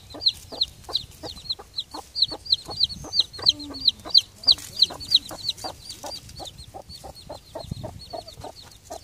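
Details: Little broody hen calling her three October-hatched chicks back to the coop; quick regular low clucks paired with dense high, downslurred chick peeps throughout, a few softer notes midway.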